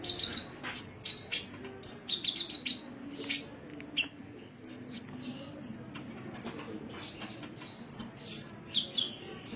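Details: Caged-sunbird training master: irregular high chirps and short whistles, some in quick pairs, others single and bright, running steadily with small pauses, a faint low hum underneath.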